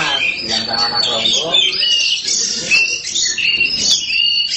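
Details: Black Oriental magpie-robin (kacer hitam) singing vigorously in the gacor manner: a dense, continuous run of bright whistles, trills and rapid chattering notes, with some lower murmuring sounds in the first second and a half.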